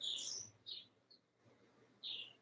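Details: Tropical birds singing outdoors in Ecuador, heard from inside a home in March: short, bright chirps and thin, very high whistles in loose bursts, with faint room murmur underneath.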